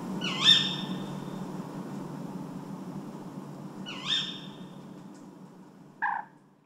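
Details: Tawny owl at night in spring, 4 a.m. on 14 April 2023 in a natural park in the town of Vannes, Brittany; two loud, sharp screechy calls about four seconds apart, then a shorter lower note, over a steady low urban rumble.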